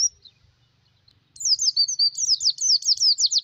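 An Oriental white-eye gives a single high thin note, then a rapid run of sweet, falling twitters, several per second, over a faint low rumble.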